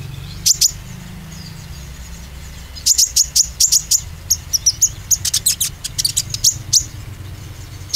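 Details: High, piercing chirps from an oriental white-eye used to provoke singing: a pair of notes, a pause, then a long run of quick staccato tweets growing denser, over steady low hum.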